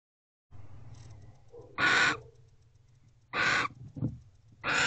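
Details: Wild barn owls in Owl Box C, a nest box, just after midnight on 29 December 2023, as the male returns and mates with the female. Faint low rumble, then three loud, harsh, hissing bursts, each about half a second long.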